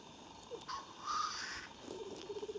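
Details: A lekking black grouse near Klassino in Siberia's Omsk region, 2018, gives a loud, harsh, rising hissed sneeze, then low bubbling cooing resumes in short rhythmic pulses.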